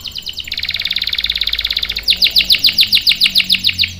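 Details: Loud, clear canary song used as a master for young males: a rapid buzzy trill building in volume, then a switch to sharper, evenly spaced chipping notes roughly four per second.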